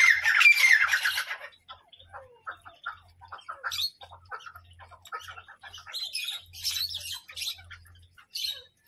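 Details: Parrot opens with a loud rasping squawk, then drops into a long series of soft clicking chirps and short scratchy notes, picking up again with brief harsh bursts near the end.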